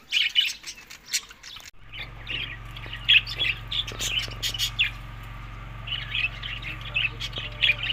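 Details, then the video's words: Budgerigars feeding in summer, May to June, in Larkana, Sindh: bursts of high chirps and squawky warbling after a brief quiet start, over a steady low hum. "Budiges Beast Summer Food Eating May to June Good Health Parrot"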